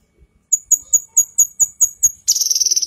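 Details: Female cucak kinoi leafbird, a masteran used to teach other birds: eight crisp, high, evenly repeated chip notes at a steady beat, ending in a harsh, fast buzzing rattle.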